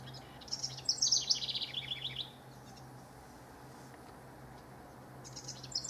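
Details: House wren, one of rival males recorded 12–24 June 2015, gives a rapid, bubbly, tumbling song about two seconds long; a second song begins near the end over a low, steady hum.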